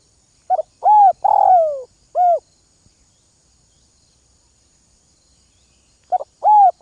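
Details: Early-morning spotted dove calling as a lure bird in north-western Vietnam: two short coos, a long gravelly descending coo, then a single clear coo, with a second phrase starting after a pause.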